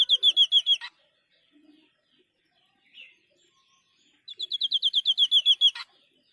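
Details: White-breasted babbler, a forest insect-eating bird of Indonesia, singing in full voice: two bursts of rapid, high, clear piping notes, a short run of about six notes, a pause, then a longer run of about fourteen, each ending in a sharp click.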